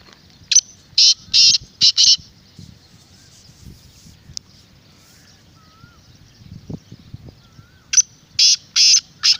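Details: Black francolin giving its harsh call, a sound meant to lure wild francolins: two phrases of four to five grating, buzzy bursts separated by a pause, with faint whistles and soft rustling in between.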